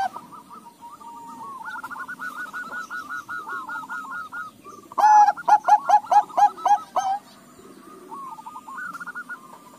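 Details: Crossbred Bangkok-local zebra dove singing: a run of quiet rolling coos leads into a loud series of about ten quick, throaty, pulsed notes, then soft cooing resumes.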